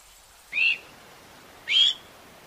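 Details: Two short, harsh, grating notes from a Eurasian magpie, about a second apart against quiet background.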